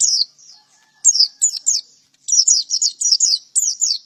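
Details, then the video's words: Male white-eye, a lively songster, delivering rapid bursts of thin, high, sliding chirps and twittering notes in quick clusters separated by brief pauses. "Burung pleci gacor jantan"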